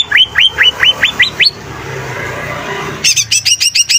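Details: Greater green leafbird (cucak ijo) in full song, suited as a lure for other songbirds: a run of seven quick rising whistled notes, a pause with low background hum, then a bright burst of rapid repeated chirps.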